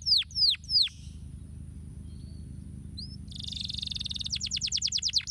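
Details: Canary song for stimulating lazy canaries to sing: three loud falling whistles, a quiet pause with a soft note, then a buzzy sustained trill that breaks into quick repeated downward sweeps; low background hum.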